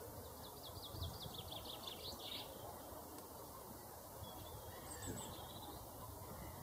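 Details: Male common chaffinch singing: a quick run of about eight sharp, high notes over two seconds, ending in a brief flourish. A faint high call follows a few seconds later, over steady background noise.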